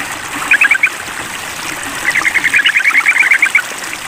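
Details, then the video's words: Sooty-headed bulbul calling a rival as a mental test: a brief cluster of chirps, a pause, then a longer bubbly chattering run, set against a constant watery rush. "Tes Mental Trucukan Memanggil Lawan"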